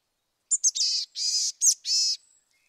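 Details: A Boreal Chickadee gives its chick-a-dee call: two quick high notes, then three harsh, nasal, buzzy notes, raspier and harsher than a Black-capped Chickadee's.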